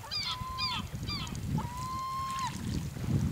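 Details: Gulls on Rügen, Germany, in November, giving a few short downslurred calls followed by one long level wailing note, over rumbling low background noise.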